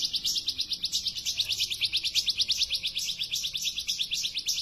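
A bar-winged prinia sings a fast, high, chattering series of sharp notes, about three bursts a second, running on without pause.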